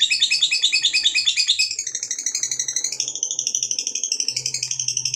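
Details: Lovebird fighter in extended ngekek song, used to spur other lovebirds to sing: rapid shrill chattering trill that drops briefly then climbs again, steadily pulsing, with a faint low hum underneath.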